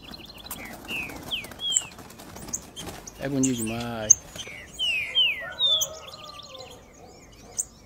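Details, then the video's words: Green-winged saltator song in the 3 nota boi style: short slurred whistled notes, some falling, in loose phrases, with a low voice-like harmonic sound in the middle and faint background noise. "TRINCA-FERRO 3 NOTA BOI VS trinca"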